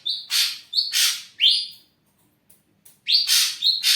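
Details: Caged ashy drongo, a lure for other birds: paired notes, each a short steady whistle followed by a harsh rasping burst, repeated in quick series, with a brief pause midway.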